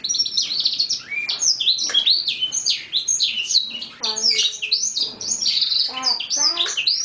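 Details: Young male domestic canary, a Lizard x Roller cross about six months old from a first clutch of two males, its song starting to become clear: a continuous, varied stream of bright chirps, downslurred whistles and rapid rattling trills.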